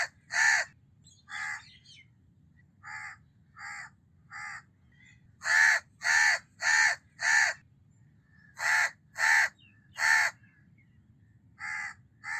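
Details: House crow (Corvus splendens) giving harsh, nasal caws in loose runs of two to four, some louder and some softer, over a low background rumble.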